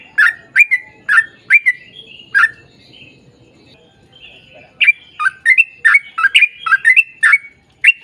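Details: Sooty-headed bulbul, lively lure song meant to make other bulbuls sing back: quick bursts of liquid, slurred notes at the start, a softer pause with faint background notes, then a dense run of bubbly repeated phrases.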